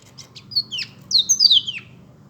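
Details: Black-throated canary giving a brief song: a few faint ticks, then loud sweeping whistled notes falling from high pitch, with a sharp downslurred note near the end, over a faint low hum.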